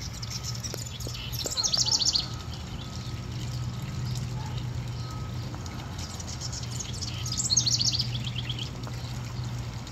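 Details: Male house wren going from birdhouse to birdhouse singing to attract a mate on a cloudy day, giving two bubbly, rapid cascades of high, tumbling notes about five seconds apart, over a steady low hum and rushing noise.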